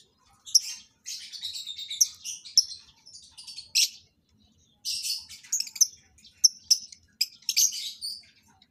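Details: Breeding lovebirds introduced for mating chatter in dense, raspy high chirps, two long bouts split by a short silence.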